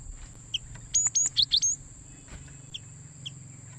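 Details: Cinereous tit (gelatik batu), used as a lure for catching wild birds: a quick burst of about five high, clipped chirps and upslurred notes, then two isolated soft chirps, with a constant high electronic whine and low rumble behind.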